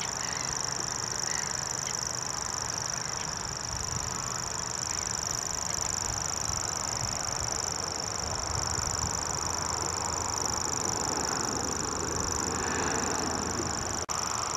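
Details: Grasshopper warbler at Dormans Pond near Saltholme, Teesside, in April 2011, giving a continuous high, thin reeling trill held steadily throughout. Heavy broadband rumble from wind or distant traffic lies beneath.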